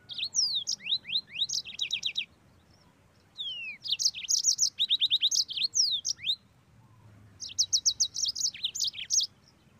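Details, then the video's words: Energetic song of a yellow-fronted canary kept as a cage bird: quick high trills of repeated chip notes mixed with slurred descending whistles, delivered in three bursts separated by brief silences. "MOZAMBIK GACOR NGEROL PEDAS"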